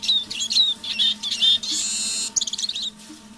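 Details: Captive decoy Eurasian siskin in soft evening song: high slurred whistles and twitters, interrupted midway by a long rushing hiss, then a quick burst of chattering notes.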